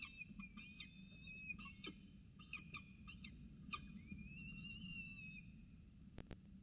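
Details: Peregrine falcons at the Orange CSU nest, 12 November 2019, as the male delivers breakfast before the youngster's playtime: bursts of short sharp clicking notes, then long wavering high whining calls, with faint rustling throughout.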